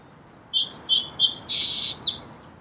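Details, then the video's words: Song sparrow delivering three clear introductory whistles, then a loud broad buzz and a brief twittering finish. "Song Sparrow Bird Sound"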